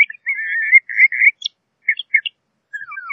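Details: LeConte's thrasher song with a long warbled whistled passage at the start, followed by scattered short chirps and a soft descending slur at the close.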